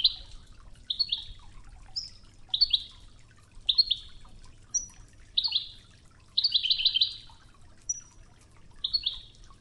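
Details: Goldfinch training recording in the Oued style, set against river water sounds; a steady run of brief twittering chirps with thin high whistles and one longer trilled burst, over low flowing-water noise.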